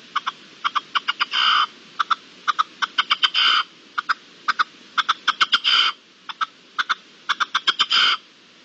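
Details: Wild red-legged partridge calling in the wild in March 2022: rapid pairs and triplets of short harsh chuck notes, broken by longer grating rasping bursts roughly every two seconds, against quiet background.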